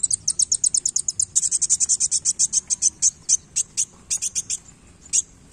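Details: Sunbird singing energetically with tail-flicking; a fast, even series of high, piercing notes about five per second, slowing into spaced single and paired chirps.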